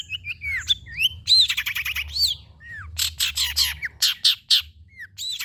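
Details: Long-tailed shrike song for prompting birds to sing. It is a lively medley of slurred whistles, scratchy banded chatter and harsh buzzy notes, with arched whistled phrases in between and a faint low hum.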